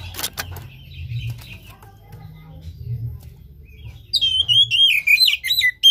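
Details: Oriental magpie-robin stimulus song for a reluctant caged singer: faint twitters and low hum at first, then two seconds of bright, sweeping whistled phrases delivered in quick succession.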